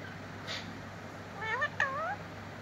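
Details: Talking pet parrot saying words such as mitthu mitthu: a faint short burst, then two voiced, harmonic, speech-like syllables that rise and fall in pitch, over low steady room hum.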